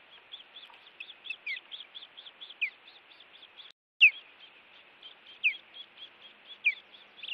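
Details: Osprey defending its nest against intruders at a Montana nest cam, evening of 16 June 2017: a steady run of high, quick chirps, broken about every second by a louder, sharply down-slurred whistle.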